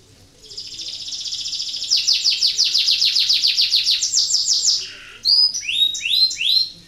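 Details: Singing canary in breeding condition, used to encourage other canaries to sing: a fast, high, churring trill gradually building in loudness, a short low slur, then a series of sharp, high, falling whistles.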